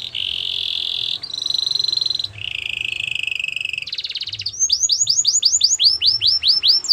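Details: Belgian canary singing a training song for young canaries, moving through several steady high trills and rolls, one buzzy and lower, then ending in a long series of quick, sweeping whistled notes.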